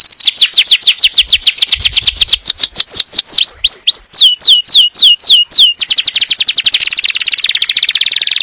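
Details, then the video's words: Yellow canary singing to prepare the female for breeding and teach the young: a rapid trill of falling whistled sweeps, a slower run of rising-then-falling notes, then a dense buzzy roll to the end. "تغريد كناري أصفر لتجهيز الأنثى وتعليم الفراخ"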